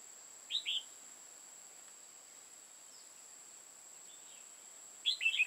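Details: Red-whiskered bulbul serving as a trapping decoy in Hoa Binh, Vietnam: two bursts of quick, bright chirping notes about four and a half seconds apart, with quiet hiss and a steady high whine between them.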